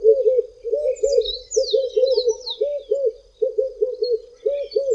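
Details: Two Red-eyed Doves in South Africa sing from tall treetops on a hot day; deep, rounded coos delivered in groups of two to four, about every second, accompanied by sharp descending whistles from other birds.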